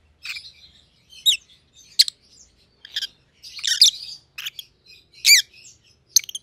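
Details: Two captive Rosy-faced Lovebirds, white-headed opaline colour forms (one pallid ino, one green opaline), giving sharp high chirps and squeaky calls, bursts spaced irregularly about once a second, in a quiet indoor setting.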